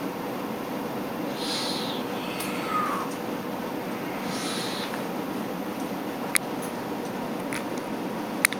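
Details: {'caption': "Young Tengmalm's owl producing two airy, hissing calls about three seconds apart. Sharp clicks and taps occur later over a constant noise floor."}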